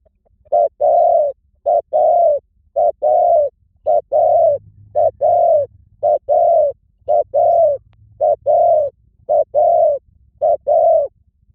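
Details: Spotted dove cooing in a long, very regular series of about eleven short-long note pairs over nearly twelve seconds. The coos are mellow and slightly falling, with a faint low hum in the background.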